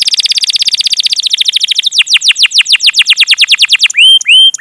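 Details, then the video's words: Canary singing hard, used to stimulate young canaries to learn song: a long rapid roll of downward-slurred chirps, slowing gradually over about four seconds, then two drawn-out rising whistles. "PANCINGAN Kenari GACOR PANJANG Cuit CUIT EMOSI ini AMPUH utk MASTERAN Kenari PAUD belajar BUNYI"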